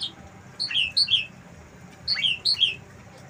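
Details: Asian pied starling kept on a house terrace, singing with material copied from wild birds: two matching phrases of three or four clear, falling whistled notes, repeated after a pause of about a second.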